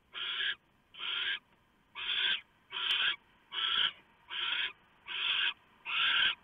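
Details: Barn owls at the nest at night in November, the male delivering a mouse and the owlets being fed: eight loud harsh screeching hisses, each about half a second, repeated roughly every three-quarters of a second.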